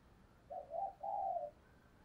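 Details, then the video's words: Decoy spotted dove singing its lure song to draw in wild birds. A deep, soft, wavering coo is followed after a short pause by a longer, even, hollow note, with near silence around it. "Chim Cu Mồi/ tieng cu gay kich boi nhanh noi"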